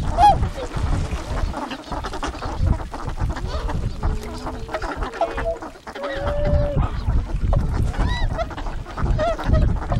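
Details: Tundra swans of a wintering flock on a river at Kawajima, Saitama, Japan, 4 February 2017, give scattered nasal, level honking calls, several in a row mid-recording, over a steady low rumble of wind.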